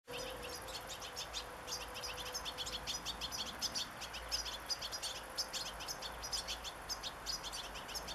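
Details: Young European goldfinches in a family group of five in a garden, 27 August: dense, continuous high chirping and twittering, rapid overlapping notes from several birds throughout, with a steady low hum underneath.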